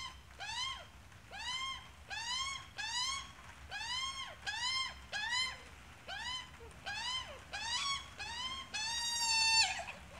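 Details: Australian magpie adult accompanied by a chick, calling with a steady train of short arched harmonic squawks, roughly one every 0.7 seconds for ten seconds, finishing with a longer, louder, buzzier note.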